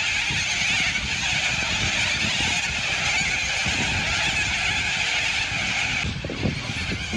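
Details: A massive flock of cockatoos in an Australian city fills the air with a steady wall of harsh, rasping screeches over a faint low city rumble.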